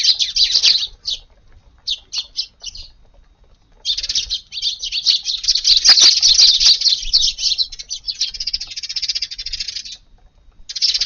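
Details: Several Eurasian tree sparrows arrive early at a garden to feed on a rainy July 16 morning. Clusters of sharp chirps lead into a long, continuous stretch of busy overlapping chatter, possibly with wing flaps.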